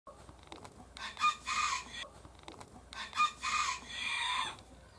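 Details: Hen calling while laying an egg: two loud, harsh, broadband squawks about two seconds apart, each with a brief tonal edge, over a quiet background.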